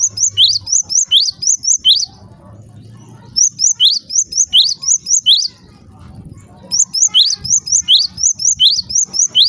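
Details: Java sparrow calling to set off other Java sparrows: three runs of rapid high-pitched chirps, each note a quick rising tweet, divided by pauses of roughly a second with soft low background rumble.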